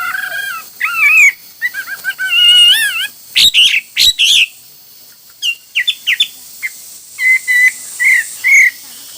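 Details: A hwamei sings varied phrases: wavering, warbled whistles that rise and fall, a few harsh loud bursts midway, then clear slurred notes repeated at the end.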